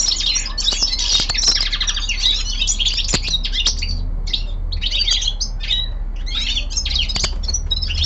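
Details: A young male common linnet kept at home sings in bursts: rich twittering phrases and rapid trills separated by short pauses, with a few sharp clicks and a low hum in the room.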